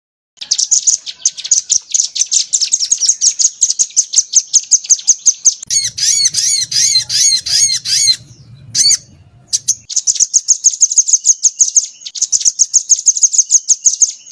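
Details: Crimson sunbird tutor recording for training songbirds, rambatan material: long runs of rapid high chirps, interrupted midway by harsh arched squawking notes over a low hum, then the quick chirping returns.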